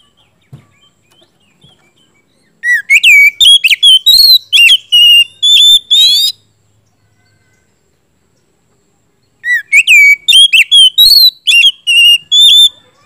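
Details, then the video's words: Oriental magpie-robin in full, loud song, used as a lure to draw a silent magpie-robin into answering. Two bursts of rich, varied whistled phrases, rising and falling slurs with sharp notes, separated by a pause of about three seconds. "siulan kacer gacor ngeplong"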